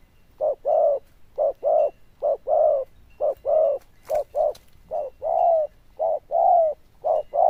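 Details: Zebra dove kept in a cage in Vietnam, delivering a loud, bell-toned cooing series: steady alternation of short clipped notes and longer rolling, warbled coos, about a dozen bursts in under eight seconds, clear and close.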